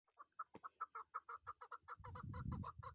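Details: Chukar partridge kept as a hunting decoy, giving a rapid series of harsh clucking chuk notes, about five per second, steadily repeated and building; a low rumbling thump and handling noise join in the final second.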